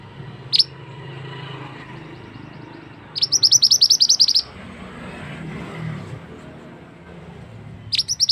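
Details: Male scarlet-headed flowerpecker lure call used for trapping in forest: a single thin, high chirp, then a rapid burst of about a dozen sharp ticking notes over one second, and another high note at the end over low rumbling background.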